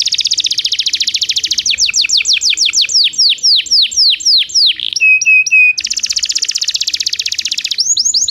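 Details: Belgian canary training song for non-singing canaries: rapid high rolling trills shifting into fast downslurred notes, then a brief steady whistled tour and another dense trill.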